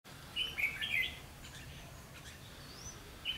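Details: Red-whiskered bulbul recorded during trapping on 1 September 2016, a decoy bird singing to lure wild birds; one short burst of bright, warbled whistled notes, then a quiet pause and a brief final note over faint background hiss.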